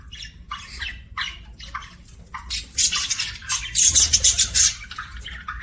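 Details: Budgie chirps: a string of short scratchy notes that builds into louder, denser bursts of high chattering in the second half.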